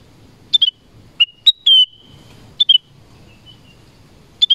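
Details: Black-crested bulbul in a forest giving clear whistled notes, including a sustained level whistle lasting about a third of a second, separated by short quiet gaps.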